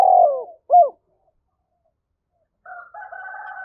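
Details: Tail of a spotted dove's fight-provoking coo, a falling note and a short hoot, then silence, then a drawn-out higher rooster-like crow.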